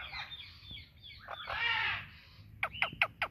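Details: Indian ringneck parakeet calling alongside an Alexandrine parakeet: a rough, raspy run of calls, then a quick series of four sharp, clipped chirps near the end, with faint background hum.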